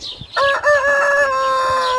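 A rooster crows, a loud harmonic cry that starts abruptly and holds a long, steady drawn-out note.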